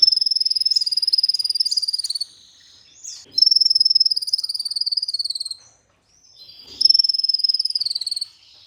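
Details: Olive-backed sunbird (kolibri ninja) singing in a masteran used as a lure to get other sunbirds singing: long, very high, rapid buzzy trills of about two seconds each, repeated three times with short pauses, slightly falling at the ends.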